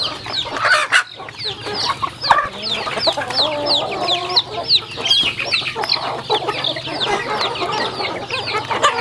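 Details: Eating chickens on a farm give bright, repeated down-sweeping peeps in a busy chorus, with a few sharper chirps and pecking clicks, over a constant low drone.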